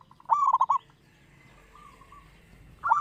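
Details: Local zebra dove, a lure singer: one brisk rolling phrase of four or five quick coos, a faint distant coo, then another loud phrase beginning at the end.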